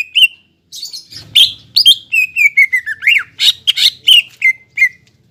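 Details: Greater green leafbird singing as a lure for a caged bird that has stopped singing: varied chattering notes and a long descending run of clear whistles, ending in a few sweet phrases.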